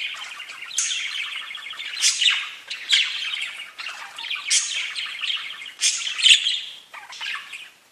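Parakeets chatter nonstop in high, buzzy warbles broken by sharp squeaky chirps that burst out every second or so. No other sounds stand out.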